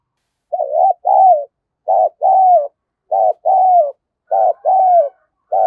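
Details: Caged spotted dove acting as a decoy to call wild doves: steady pairs of coos, a short trembling note followed by a longer note that falls at the end, about one pair per second.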